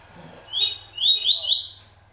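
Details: TuiTui song of a double-collared seedeater: a clear rising whistle, then a quick chain of ascending slurred notes ending in a thin high sweep, over a low steady hum and faint murmuring in the background.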